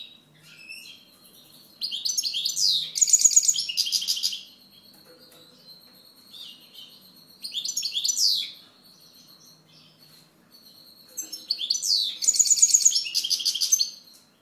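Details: Three separate phrases of European goldfinch song, each a bright jumble of rapid tinkling notes and a rattling trill, with soft thin twitters and a steady high tone filling the gaps.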